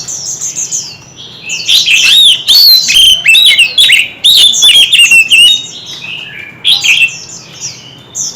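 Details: White-rumped shamas singing in a heated contest with many voices; dense, loud stream of rich whistles, slurred notes and sharp chatters pouring out almost continuously, fading to softer high repeated chirps near the end.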